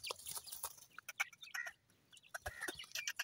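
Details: Grey francolin chicks, several young birds, giving a busy jumble of short, high chirps and peeps in quick bursts, with brief pauses between clusters of notes.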